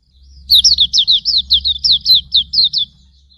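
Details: Hume's white-eye singing a tutor recording for cage birds: a brisk string of about eleven bright, high notes, each slurring down, delivered after a short quiet start.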